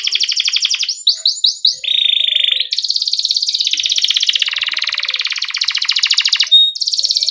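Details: Canary singing for young canaries to copy as they learn: a few swept chirps, then long rapid buzzy trills shifting pitch, rolling continuously for several seconds.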